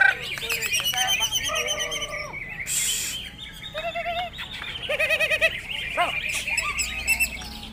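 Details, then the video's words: Contest-winning greater green leafbird, a 'piston' singer, delivering bursts of rich, varied song: quavering whistles, rapid trilled runs and sharp rising notes, over a busy background of other birds and people at the competition. "Cucak ijo piston raih gelar terbaik"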